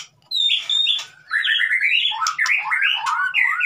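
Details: White-rumped shama in 'konslet' lure style, meant to get a mute bird singing: loud rolling whistled phrases with squawky, warbling notes, delivered in quick bursts with brief pauses between them.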